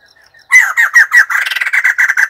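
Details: Faint notes, then an abrupt loud outburst of rapid, harsh cackling laughter from a white-crested laughingthrush, the notes running together into a rolling chatter.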